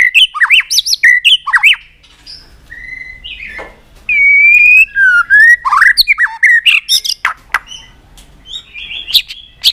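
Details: White-rumped shama, stirred up into fiery singing with tail flicks on its perch. Rapid bursts of varied whistles and chattering notes, a long bright sustained whistle, then more jumpy phrases and sharp clicks.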